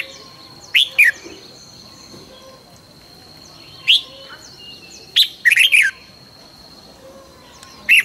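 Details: Morning song of a red-whiskered bulbul in training, with separate sharp rising chirps and one quick bubbly phrase of several warbled notes, spaced irregularly over eight seconds, a thin high tone running behind.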